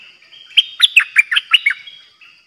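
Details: Decoy Streak-eared bulbul recorded 06/05/2022 giving a rapid run of about seven short, chirpy descending notes, evenly spaced, bright and liquid, with little else audible.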